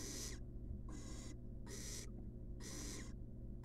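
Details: Quick succession of raspy hissing screeches from a wild barn owl chick in a nest box, fed a rat, bursts separated by brief pauses over steady hum.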